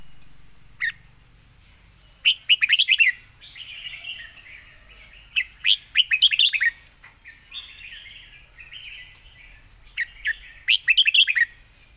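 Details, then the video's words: Fast-beak style rapid song of a Red-whiskered bulbul: repeated tight bursts of sharp, downslurred whistled notes alternating with softer, drawn-out warbling phrases over about twelve seconds, in a quiet setting. "สายเพลงโซนห้ามพลาด"ทีเด็ดเพลงโซนปากไว เพลงรัวๆ"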